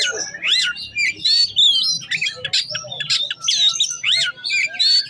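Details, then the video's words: Oriental magpie-robin in full varied song, delivering its learned repertoire: rapid sequences of swooping whistles, harsh squawks and chatters, continuous and loud, with a low murmur underneath. "Kacer Bongkar isian"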